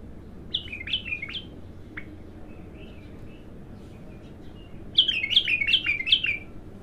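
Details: Bulbul, untrained and singing for the first time, gives a brisk series of three or four falling whistled notes, then quieter soft warbles, then another fast descending run of five notes; a low hum runs underneath.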